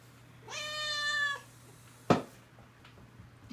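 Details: A pet grey parrot that dislikes the household cat, coaxed indoors with "kitty, kitty", gives one drawn-out, nasal, meow-like call lasting about a second, steady in pitch, followed by a sharp knock in a quiet room.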